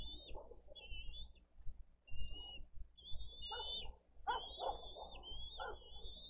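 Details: Bald eagle nestling asking for food at a nest-cam nest in Dade County, April 20, 2023. Long, thin whistles come in drawn-out wavering phrases separated by pauses, with soft rustling and low knocking sounds from the nest underneath.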